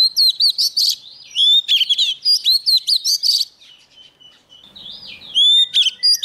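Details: A young Oriental magpie-robin sings hard while a wild bird approaches. Rapid bursts of high, twisting, chattering whistles repeat in quick phrases. A short pause follows, then a smooth slurred whistle and more bright notes.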